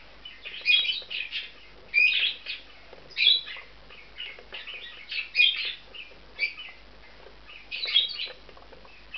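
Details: Bonded pair of male budgerigars nesting in a special aviary compound; lively warbled chatter of rapid high chirps and squeaks in clustered bursts, with faint wing or movement noises.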